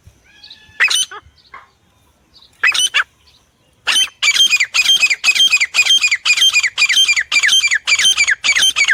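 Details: A Black francolin (Francolinus francolinus), presented as a jungle partridge hunting or luring call, gives a few scattered harsh, grating notes, then a rapid run of about two scratchy bursts per second.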